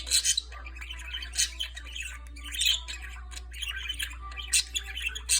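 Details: A pet budgerigar named Lightnin' sings a warble song, a busy stream of chirps, clicks and scratchy squawks over a steady low hum.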